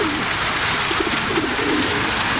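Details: Racing pigeons caught in rain on returning from a training flight from Gapan, Nueva Ecija, Philippines, give low, throaty rolling coos in short bursts, partly buried under a steady hiss of heavy rain.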